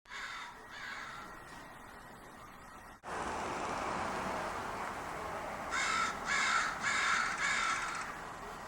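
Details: Crows cawing on a spring evening near a big walnut tree in Portland, said to be the city's second biggest tree; four harsh, evenly spaced caws come near the end over steady broadband outdoor noise, with a fainter pair at the start.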